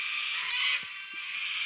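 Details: A large flock of cockatoos in cold, icy woodland on Mount Lawson, set off by a passing cyclist and seemingly shouting to warn him off, screeching in a harsh, continuous, grating din that swells briefly then carries on.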